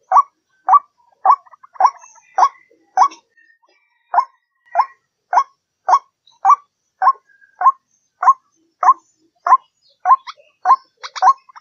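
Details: White-breasted waterhen lure recording used to attract waterhens: a steady series of loud, hoarse two-part 'kru-ak' notes, about twenty in a row, repeated roughly every 0.6 seconds with an even rhythm and no other sounds.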